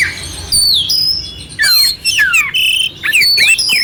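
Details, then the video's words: Oriental magpie-robin (kacer) singing a clear song in the rough-fill style (isian kasar), used as a master recording to excite a sluggish magpie-robin; quiet start, then loud bursts of slurred whistles sweeping steeply downward, with high buzzy and chirping notes between. "Suara Kacer Jernih isian kasar"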